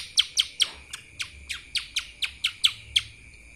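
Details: Lesser green leafbird in kapas tembak song: a regular series of loud, piercing, downslurred notes, about three per second, over a faint continuous high tone.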